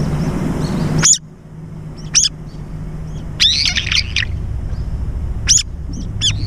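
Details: Brown-eared bulbuls fighting in mid-air over food at a feeder: loud, shrill, harsh squealing calls in short bursts, a rapid cluster in the middle, over a steady low rumble.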